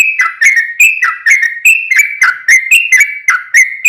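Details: Sooty-headed bulbul singing to lure other birds into replying, a lively chain of clear whistled notes that swoop down and rise again, delivered in quick succession without breaks.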